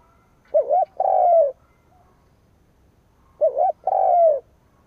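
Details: Decoy spotted dove sounding its provoking coo at rivals. It gives two identical phrases nearly three seconds apart, each a short wavy double note followed by a longer smooth coo that slides slightly downward. The setting is otherwise quiet.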